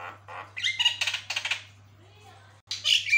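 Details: Energetic Javan myna singing, its song said to set other mynas calling back; grating chattered phrases and squawks, a whistled note, a quiet gap, then a loud harsh burst, with a constant low electrical hum.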